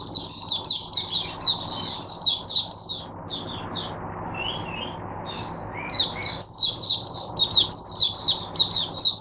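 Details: Oriental white-eye kept as a teacher bird for other white-eyes, recorded 22 January 2022, singing rapid high twittering phrases, dropping to a softer, sparser passage midway before resuming a fast chattering run.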